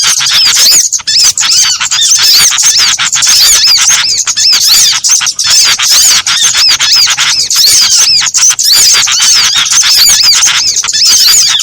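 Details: Mixed small birds used as a trapping lure: a dense, loud, nonstop wall of high, thin chirps and squeaky, rising and falling notes, overlapping with only brief gaps.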